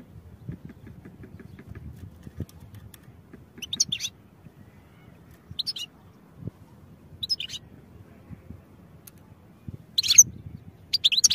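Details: European goldfinch song for training: scattered brief, high, tinkling twitter phrases every second or two, growing louder and denser toward the end, with faint low rumble underneath.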